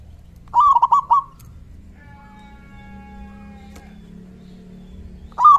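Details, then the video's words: Local zebra dove giving its loud 'kung' lure call that sets other doves answering. One short run of rapid cooing notes, a pause with a steady tonal hum, then another run beginning. "Suara panggilan PERKUTUT LOKAL GACOR suara besar KUNG"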